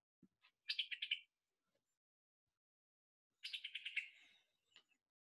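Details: Summer Tanager call, distinct from Scarlet Tanager's: two quick, dry chattering calls, each a rapid run of clicking "pi-tuk-i-tuk" notes under a second, separated by a short pause.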